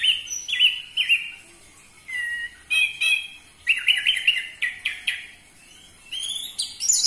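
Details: Song of the orange-headed thrush for provoking captive birds to sing, with varied whistled phrases, rolling trills and sharp high notes in repeated loud bursts.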